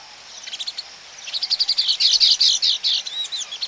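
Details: Baya weaver colony heard close up, a rising stream of rapid, scratchy chirps building into a dense excited chatter, many notes per second, high and buzzy, with soft background twitter.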